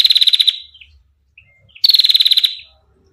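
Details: Female bar-winged prinia giving clear ngetir trills: two short, high, rapidly pulsed rattles about two seconds apart, each fading at its end, with a faint soft note between them.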